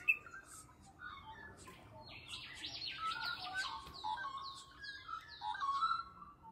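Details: Yellow-faced Honeyeater near its nest at a school in Kellys Plains gives a quick buzzy chatter, then a run of sharp, down-slurred high notes about twice a second, over softer lower whistles.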